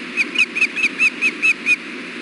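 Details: Ospreys at their nest as a fish is delivered, June 4, 2016, afternoon: eight evenly spaced, sharp whistled chirps, each slightly arched, about four per second, then quiet hiss.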